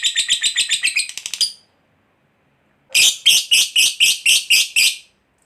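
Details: Lovebird of fighter type chattering to provoke replies from other lovebirds: a fast burst of buzzy high notes, a pause of over a second, then a second, slightly slower burst of louder rasping notes.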